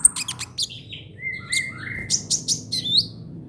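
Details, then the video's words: Brown-throated sunbird, trotol song for tutoring cage songbirds: a fast stutter of high ticks, a few lower drawn-out whistled notes, then bright chirps in quick succession. "KICAUAN KOLIBRI NINJA TROTOL UNTUK MASTERAN BURUNG BERKICAU"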